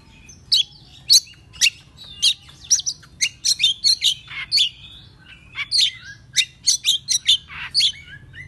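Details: Morning song of an excited Oriental magpie-robin, played as a lure to provoke other magpie-robins. Varied sharp whistled phrases and quick chips come in rapid bursts with short gaps, some notes sliding down steeply.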